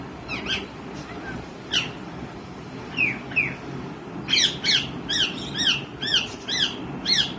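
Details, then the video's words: Young green ringneck parrot calling: a few separate harsh notes at first, then a fast series of loud, rasping, harmonic squawks repeated roughly every third of a second, clear above a low background hiss. "Green Ringneck Parrot Patha Start Talking & Calling Different Natural Sounds"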